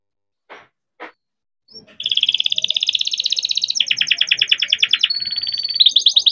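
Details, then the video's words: Young canary bred in captivity, its song meant to lure young birds learning to sing: two faint clicks, then a dense, fast, unbroken trill that drops lower in pitch midway and ends on a thin whistle. "KENARI GACOR DOR COCOK BUAT PANCINGAN KENARI BIAR GACOR"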